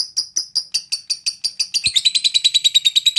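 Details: Lovebird trilling while seeking a rival: evenly spaced sharp chirps, about five a second, speed up after two seconds into a faster, tighter run of clipped high notes.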